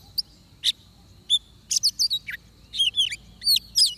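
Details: Sparse oriental magpie-robin song during trapping: isolated sharp whistled notes at first, then a quicker series of clear slurred whistles toward the end.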